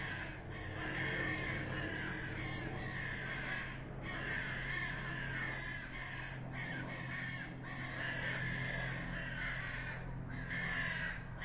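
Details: Common ravens fighting, producing long runs of harsh, gravelly croaks in irregular rapid bursts, with short breaks every two seconds or so, over a steady low hum.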